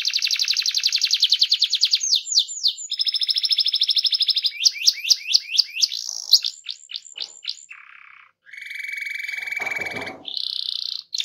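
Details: Canary rolling song to encourage other canaries to sing: rapid trills alternating with series of sweeping chirps, then lower buzzy phrases and a short high trill.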